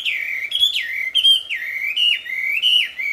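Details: Wambi in the wild with a loud, sweet song of steady high whistles. Each note dips sharply and then levels off, linked in a flowing series roughly every half second.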